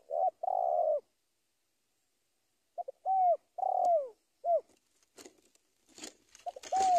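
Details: Spotted dove calling a rival: soft hollow coos, a longer drawn-out note, then short notes falling in pitch, repeated after a pause, with faint rustling and clicks near the end.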